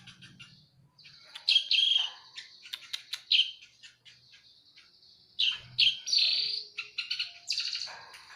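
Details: Fighting Eurasian tree sparrows give loud, harsh chirps and squawky notes in clustered bursts, with a chattering run near the start and a denser flurry toward the end. Short, quieter pauses fall between bursts.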